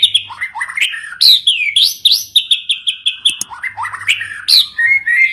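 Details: White-rumped shama song used as a training recording for caged birds: rich, varied whistled phrases with rising and falling notes, rapid repeated chips and sweeping slurs, continuous and loud, with a faint low hum in places.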